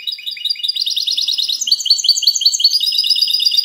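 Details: Continuous, rapid, high-pitched twittering from a goldfinch hybrid (mixto de jilguero) performing 'cante limpio' clean song, recorded 19 March 2020; rhythmic repeated trilled phrases with no pauses.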